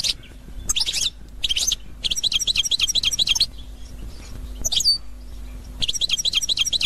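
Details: European goldfinch of the authentic Constantine type, 2021, delivering fast runs of bright, liquid twittering notes repeated in quick succession, broken by brief gaps and a sharp rising chirp, over a faint low background hum.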